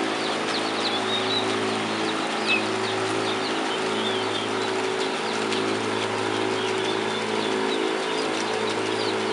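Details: Flock of 10-day-old domestic turkey poults clustered in a temporary cardboard enclosure in a barn, giving many short high peeps and chirps, some rising or falling, scattered throughout under a steady loud hum of ventilation fans.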